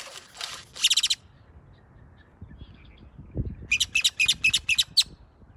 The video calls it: Great tailed Grackle making cool sounds